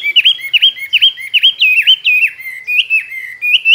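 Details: Chinese hwamei, a tame cage bird of two years, prized as a contest singer with many forest voices. Clear slurred whistles dip and rise, repeated about three times a second in a steady rolling series.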